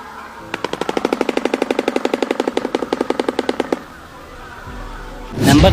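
Shoebill giving a fast, hollow, machine-gun-like clatter of about 35 even knocks in three seconds, followed by a brief rushing whoosh.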